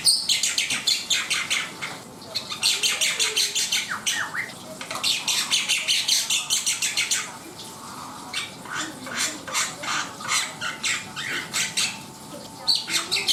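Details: Black-winged myna singing at length: long strings of harsh, rasping chattering notes delivered in fast rhythmic bursts, interrupted by a short quieter spell, then more vigorous chatter; faint steady hum throughout.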